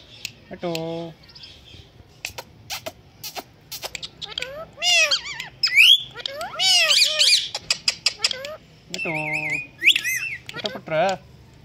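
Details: Talking pet Indian green ringneck parakeet produces voice-like mimicked phrases, bursts of harsh arched squawks, and a level whistled note, with clicks between calls.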